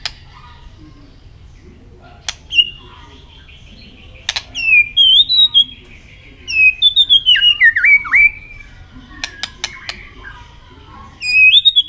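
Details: Caged white-rumped shama provoked into contest singing with tail flicks: scattered clicks, then bursts of quick buzzy trills and twisting high whistled notes, with a fast rapid flourish near the end.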